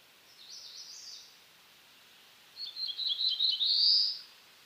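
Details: Black-throated blue warbler: a faint, high, hissy phrase comes first, then a full song of quick high notes that climbs into a buzzy rising ending.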